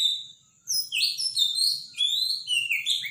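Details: A robin's powerful, loud morning song: a fast run of high, thin, warbling phrases with quick rising and falling notes after a brief quiet start.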